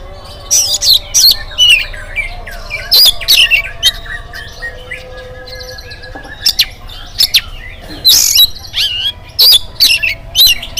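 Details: Busy morning singing of an oriental magpie-robin, meant to draw other birds into song: rapid mix of harsh bursts and whistled notes throughout, with a low steady tone in the background.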